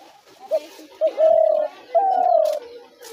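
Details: Trap-lure call of a spotted dove: short clipped coos leading to two sustained cooing notes, the second slowly falling, with faint background noise.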